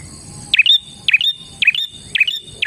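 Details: Rapid run of about five clipped, high chirps from a bar-winged prinia, each falling sharply then holding briefly, spaced roughly half a second apart.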